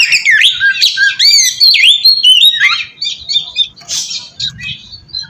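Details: Oriental magpie-robin song played to call in other magpie-robins: fast, varied whistles sweeping up and down in rapid succession, then scattered sharper chirps with quieter gaps toward the end.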